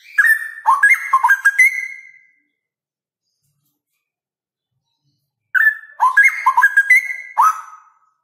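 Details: Straw-headed bulbul male delivering two loud, melodious whistled phrases separated by about three seconds of silence; each burst is a quick run of fluty, jumping notes closing on a drawn-out clear whistle.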